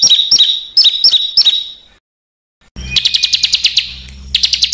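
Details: Harsh 'besetan' burcil song for mastering caged and competition birds: paired high piercing chips in a slow series, a gap, then a fast buzzy rattle of evenly spaced notes and a final harsh burst.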